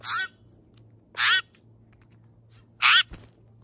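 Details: Steller's jay giving three harsh, raspy calls, each a quarter-second burst, spaced one to one and a half seconds apart, over a low steady hum.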